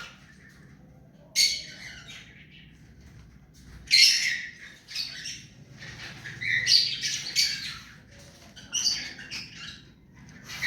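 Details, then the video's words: Tame ring-necked parakeet uttering scattered rasping squawks and chatter, loud broadband screeches at intervals of one to three seconds separated by near-silence. "Mithu parrot hand taime and clear sound"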